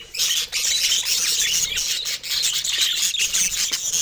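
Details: A young budgerigar's first vocalizations: dense, high-pitched, hissy squealing chatter that runs almost without a break.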